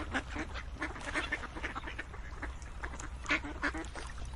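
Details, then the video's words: Ducks quacking in a loose chorus, nasal calls overlapping unevenly with a few louder quacks standing out, low rumble in the background. "Quacking Duck sounds"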